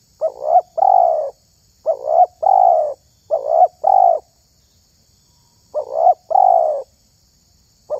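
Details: Spotted dove, known as terkukur, whose voice is chosen for luring other doves; soft two-part coos repeated three times in quick succession, a long silence, then another pair and the start of a fifth.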